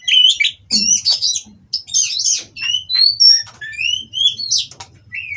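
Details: Breeding Oriental magpie-robin in captivity, mating song to provoke rivals: scratchy opening notes followed by a series of clear, short upslurred whistles, with a faint low hum behind.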